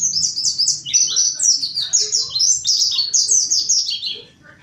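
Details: Mountain white-eye giving its vigorous lure song to stimulate other white-eyes: a fast, unbroken stream of high, descending chirps and slurred twitters, fading out at the close.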